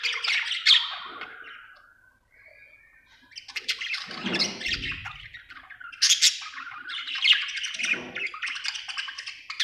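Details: Cheerful budgerigar chirping: a whistled note and a sustained tone, a short pause, then renewed scratchy warbling chatter with loud squawky bursts near six and seven seconds.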